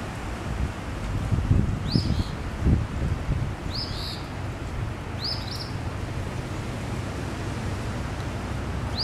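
Eastern phoebe giving short, sharp high chip notes, often doubled, repeated every couple of seconds over a steady low rumble of wind.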